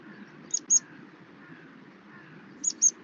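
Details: Meadow pipit flight calls, as heard on Norfolk's Halvergate Marshes in winter: two pairs of thin, sharp, very high 'tsip' notes, the pairs about two seconds apart, over a faint low hum.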